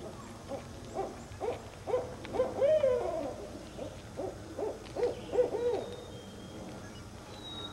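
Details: Northern Barred Owl giving a series of low, rhythmic hoots. The series peaks in a louder, drawn-out note that slides downward, then more short hoots follow. A faint whistle is heard toward the end.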